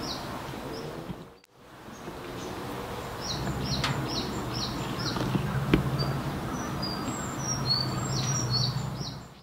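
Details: Sakhalin leaf warbler singing, heard but not seen, in Hiroshima on 25 April 2021: thin, very high, short notes in quick repeated phrases over a steady low rumble of wind or running water.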